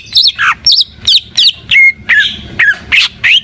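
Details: Greater green leafbird (cucak ijo) singing in full, lively 'gacor' style: loud, varied whistled notes sweeping up and down, some slurred and buzzy, delivered in rapid separate phrases about three per second.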